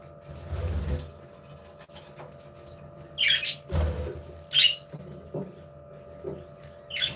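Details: Budgies interacting in an aviary; short harsh squawks and sharp chirps sound every second or so, mixed with low thumps and a constant background hum.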